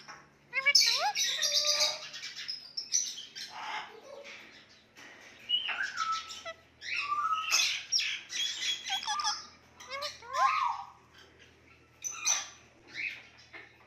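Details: Indian ringneck parakeet, a pet shown talking with wild birds, gives a long run of varied chatter. It mixes harsh squawks, bent whistled slurs and quick squeaky notes, with short pauses between bursts.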